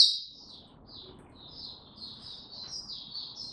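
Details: Tiong aw song of an Oriental white-eye (mata puteh), recorded 25 January 2022 after it slept late: a soft, continuous thread of high, thin warbling notes over a murmuring low background.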